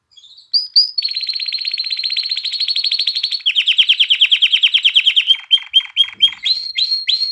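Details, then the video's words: Canary singing to stimulate hens to mate and encourage chicks to sing: two short whistled notes open a long, rapid, buzzy trill held steady for seconds, shifting to a slightly lower rolling trill, then separate sharp chirps. "تغريد كناري نار لتهييج الإناث على التزاوج وتحفيز الفراخ على التغريد"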